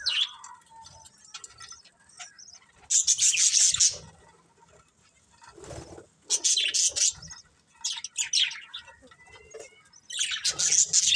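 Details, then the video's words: Breeding pair of budgerigars giving scattered bursts of high, scratchy chirping, separated by quiet spells, with a soft lower note in between. "Cute Budgies Chirping Sounds"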